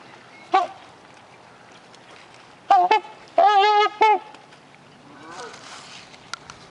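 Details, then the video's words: At a bird sanctuary, a pair of trumpeter swans honking: a single honk, then a quick cluster of three brassy, nasal honks against a low murmur of background noise. "Mute & Trumpeter Swan Feeding & Honking"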